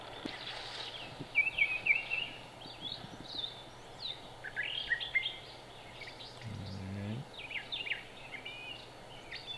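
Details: Brown Thrasher in Cabarrus County, North Carolina, United States, 13 March 2017, singing with its back turned, so the song comes through softer: varied quick phrases, some doubled, some slurred, scattered across the recording, with a brief low rumble midway and faint background hum.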